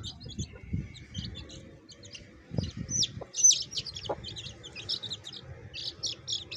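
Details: Baby chicks with a hen: a dense run of short, high peeping chirps, many sliding up or down, over a few low thumps and soft clucks.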